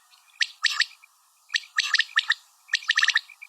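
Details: Female common quail giving short groups of sharp chirps, three to six clipped notes per group, separated by pauses of about half a second.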